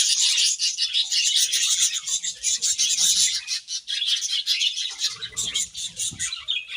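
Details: Grass-eating budgies keep up continuous high, hissy chatter with rhythmic swells and fluttering notes, plus faint low rustles near the end.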